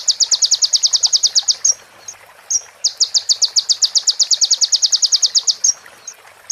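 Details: Clear sunbird master song with prinia and bar-winged prinia phrases: fast, sharp, high repeated notes in two long runs, split by thin drawn whistles, with a short slurred note at the end.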